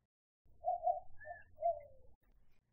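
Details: White-winged Dove in southeastern Arizona giving a short run of low, hooting coos: two quick notes, a brief one, then a longer falling coo, with a faint high chirp and low rumble behind.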